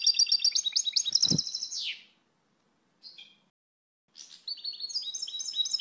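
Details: Singing European goldfinch: a fast liquid twitter of high repeated notes ending in a downward slur, then silence, a brief chirp, and the chattering song resumes after a gap.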